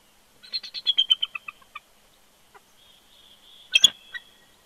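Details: Male bald eagle on a wild nest at Big Bear Lake, California, whining and protesting on 20 January 2020 as his mate coaxes him off the eggs, caught by a live nest camera: a quick falling run of about ten thin, high chittering notes, then one sharp loud burst.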